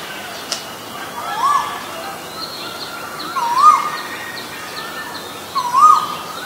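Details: Asian koel, from a recording of a male and female, giving three rising whistled notes roughly two seconds apart, each louder than the last, after a brief sharp click near the start.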